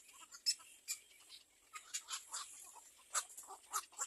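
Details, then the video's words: A little egret chick wanting food from its mother gives sharp, scratchy ticks and chatters, scattered irregularly, some louder strident bursts standing out over a quiet background. "Little egr bird wants to bite its mother for food"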